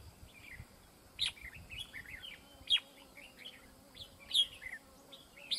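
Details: Red-whiskered bulbul in a fight trap: short bright chirped phrases roughly every one and a half seconds, each led by a loud sharp note, over a low steady hum.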